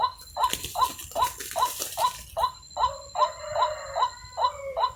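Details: Waterhen call broadcast to attract birds to snares around a decoy: evenly repeated croaks, a burst of broadband rustling noise early on, later two-part notes with a lower, held second half.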